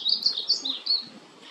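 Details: Olive-throated parakeet in Cancún, Mexico, giving a quick run of five or six harsh, high, scratchy screeches in just over a second; no other sounds stand out.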